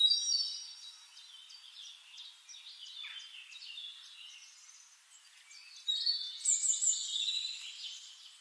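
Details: Red-necked Tanager calling: thin, high, sharp chips and twitters in quick, uneven bursts, with a brighter, louder flurry near the end.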